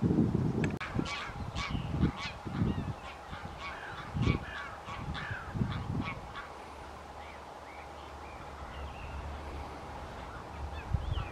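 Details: A flock of greater white-fronted geese (Anser albifrons) at Wimpole Hall, Cambridgeshire, 17 December 2020, gives high, yelping, laughing calls in quick overlapping bursts that thin out after several seconds, over steady low wind rumble.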